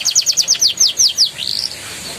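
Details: Canary song used to prompt young canaries to sing: a brief run of quick descending whistled notes ending in a rising slur and a short buzzy trill.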